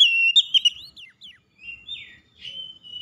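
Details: Oriental magpie-robin singing to provoke a rival: thin, high whistled notes, a sustained tone, a few sharp upward flicks, then drawn-out, slightly wavering whistles with short pauses.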